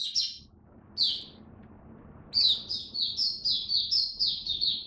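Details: Caged oriental white-eye in cold, rainy weather gives two short high chirps, then a run of quick, evenly spaced high twittered notes, about three per second, over faint low noise.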